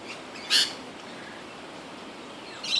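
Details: A lorikeet feeding on Grevillea nectar, competing with others over the flowers, gives one short, harsh, high screech, then a second shrill call begins near the end over a soft outdoor hiss.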